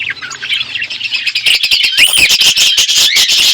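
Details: Budgerigars in an outdoor aviary, a flock chattering with dense high warbled chirps and rapid clicks that grow louder and busier after the first second and a half.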